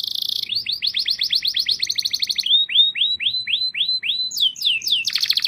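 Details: Canary singing: rapid trills of repeated rising upswept notes, switching between tours at different speeds, slower rolling phrase mid-song, ending in a fast high buzzy trill.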